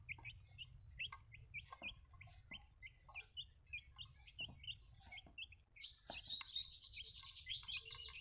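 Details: Baby chicks peeping in quick succession, short high upslurred cheeps repeated several times a second, growing into a denser overlapping chorus of peeps toward the end over a low steady hum.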